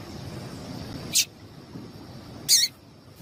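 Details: Calls of a female Double-collared seedeater, meant to get the male singing: two brief, bright, high-pitched chips about 1.3 seconds apart against a quiet, low rumbling background.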